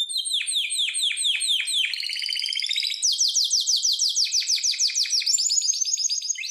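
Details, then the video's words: Harz Roller canary sings training song: strings of sharply falling notes repeated several times a second, a brief buzzy roll, then more rhythmic trills stepping between pitches. "Canary singing the best sounds for training / chant de canari Elegante / Harzer roller gesang"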